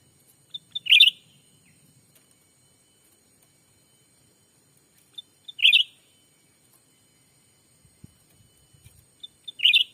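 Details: Black-capped bulbul call used to attract wild birds in a Sumatran forest: three identical phrases, each two sharp pips and a loud bubbling warble, spaced about four and a half seconds apart, with a faint low rustle.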